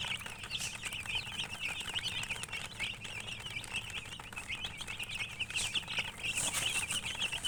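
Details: Many baby chicks chirping together: a continuous chorus of short, high, wavering peeps overlapping with one another, along with faint rustling and a low hum underneath.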